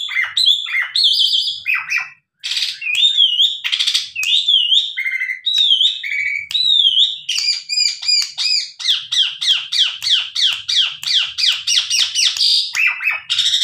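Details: A tame Asian pied starling (Gracupica contra) sings a continuous, varied medley of rich whistles, slurred notes and harsh chattering, ending in rapid repeated squeaky phrases, used as a lure that other starlings answer.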